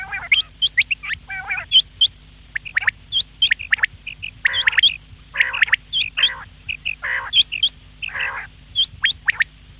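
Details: Quail calling at morning: a busy stream of sharp rising chirps interleaved with raspy, nasal squawk bursts, almost continuous for ten seconds with short gaps, above a low constant hum.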